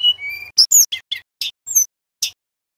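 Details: Male Sunda robin, a tutor recording for magpie-robins, gives a level whistle followed by spaced sharp chips and short slurred notes, ending in silence.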